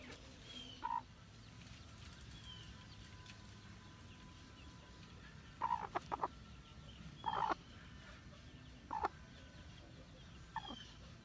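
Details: Hmong black chicken making scattered short clucks, some doubled, spread irregularly over about eleven seconds, with a steady low background rumble.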